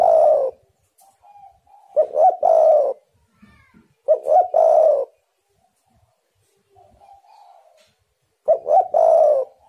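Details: Spotted dove calling, used as a lure to set wild doves singing: four low cooing phrases, each a quick double hoot and a drawn-out coo, spaced two to four seconds apart. Quiet whistled notes sit between them.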